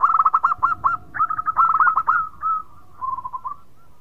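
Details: Local zebra dove (perkutut) with a sweet singing voice that sets off others: fast pulsing coos, then smoother drawn-out notes, and a quieter trilled ending, over a faint steady lower tone.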